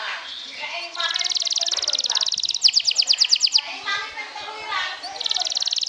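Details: Canary of the sobek type trilling to rouse rivals: long dense high trills with a brief very rapid rattling burst, over background chatter and noise.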